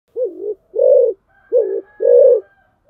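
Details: Spotted dove kept as a decoy bird, giving low, hoarse coos in two pairs: each pair is a short, slightly falling note followed by a longer, steady one, with a faint high tone in the background.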